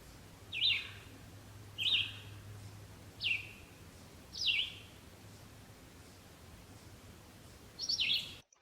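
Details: Red-eyed Vireo song: five short slurred whistled phrases, high and sharply descending, each separated by pauses of roughly a second, lacking the raspy quality of the Yellow-throated Vireo; faint low hum beneath.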